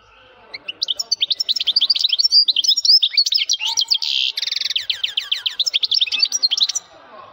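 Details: A male European goldfinch sings loudly in a rapid, tinkling stream of high twittering notes, broken by a brief dry buzz, then a descending series of quick clear chirps before trailing off.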